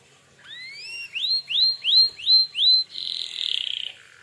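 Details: Canary in 'gacor' song to provoke other canaries to answer; a series of about six rising, upswept whistled notes roughly three per second, ending in a fast buzzy trill.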